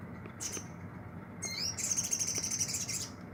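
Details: Olive-backed sunbird kept in care and starting to sing actively: a brief high note, then a sharp downslurred call and a very high, thin, fast trill lasting about a second and a half, over steady low background hum.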